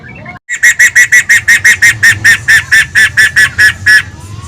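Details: Poksay (laughingthrush) in full song: after a brief silence, a rhythmic series of about eighteen clear, whistled notes at an even, mid-high pitch, each note short and evenly spaced, with faint background hum.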